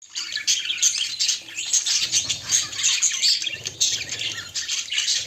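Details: Courting pair of pet budgerigars: dense, continuous high-pitched chattering and warbling with scratchy chirps throughout, pulsing in short bursts, with faint low background noise.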